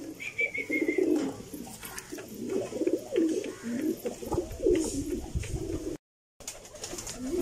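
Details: Several pigeons cooing continuously, a string of low rolling, wavering coos one after another, with a high thin chirp at the start and a brief gap of silence near the end.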